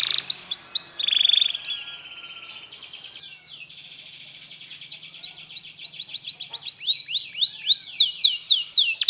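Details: Belgian canary singing, meant to lure other canaries into learning song: a quiet sustained trill, then bright repeated sweeping whistles that speed into rapid rolling phrases, over faint background hiss.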